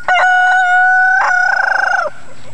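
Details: Chicken recorded in spring 2009 giving a long two-part crow: a steady held tone, a brief break, then a second sustained note ending in a slight wavering flutter before cutting off.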